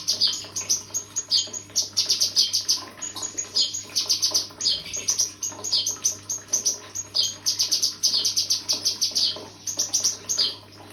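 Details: Cucak kinoi pouring out a sustained, busy twitter of high, piercing chirps, almost continuous over eleven seconds with only short breaks, over a soft steady hum.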